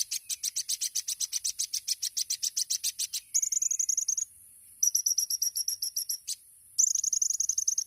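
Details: Sunbird song used as a master training recording for songbirds: a fast run of sharp high chirps repeated about every 0.15 seconds, followed by bursts of thin, very high buzzy trills and piercing notes, with no other sounds.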